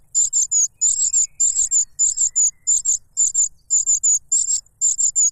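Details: Begging cuckoo nestling pestering its foster father for food, fed a butterfly; piercing high squeaks grouped in threes, the groups coming about twice a second in an even, insistent rhythm.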